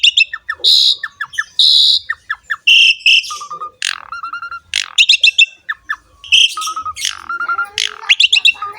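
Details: Jalak suren, the Asian pied starling, singing a gacor masteran meant to prompt other songbirds to join in: varied sequence of buzzy bursts, sharp downward slurs and short steady whistles, delivered in quick phrases with brief pauses.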